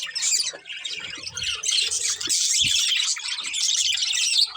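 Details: Budgerigar breeding pair in a family group: dense high warbling chatter with squawky chirps, steady and unbroken, plus soft low rustles.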